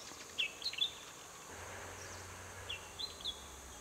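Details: Spangled drongo in Cotigao Sanctuary, Goa, India, December 2000, giving two quick bursts of clear, twanging, whistled notes that jump up and down in pitch, three or four notes per burst, over a faint low hum and forest hiss.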